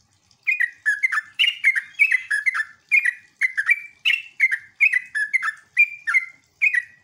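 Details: Sooty-headed bulbul singing in ngeropel, ngecruk and nembak style as a lure to set other bulbuls calling back: lively, bubbling two- and three-note phrases, evenly spaced about every third of a second after a short silent start.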